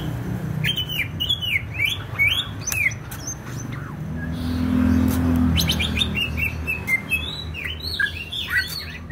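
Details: Greater green leafbird singing in Banyuwangi, East Java: scattered, varied chirps and slurred whistles with sharp clicks, a quieter mid-section under a low rumble, then a livelier tumble of notes.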